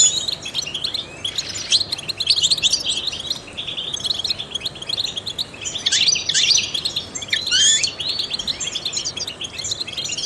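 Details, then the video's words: Trained goldfinch song for stimulating songbirds: a continuous high, rapid twittering of tinkling notes, louder chattering bursts around the second, sixth and eighth seconds, over faint background hiss. "goldfinches chirp to stimulate songbirds"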